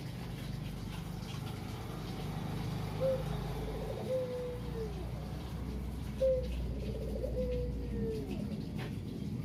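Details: Kugeru-style cooing of a lone caged local Barbary dove, a very talkative bird used to prompt other doves to sing; two fainter low coos with a falling drawn-out ending over a steady low background hum.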